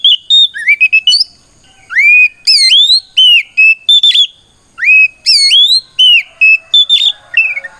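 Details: Loud challenge singing from an oriental magpie-robin, meant to rouse other magpie-robins to reply. Bright whistles slur sharply upward, mixed with level piping notes and quick chips, delivered in two dense phrases.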